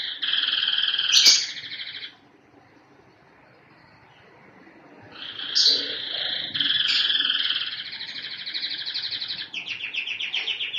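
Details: Canary singing long, buzzy rolling trills broken by a two-second pause. A second extended trill carries quick sharp accents and shifts its rhythm near the end.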